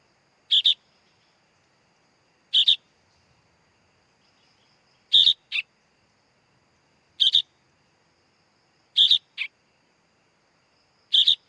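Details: Sooty-headed bulbul chick: six short, harsh, high chips about every two seconds, some followed by a quick lower second note, against a quiet background.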